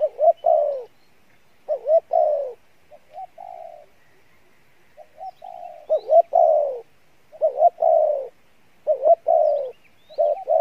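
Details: Spotted dove of the "Đồng Pha Bài Lối" song style, good-voiced: loud double coos, a short accent then a drawn-out falling note, repeated in quick succession, with a quieter level humming phrase in between.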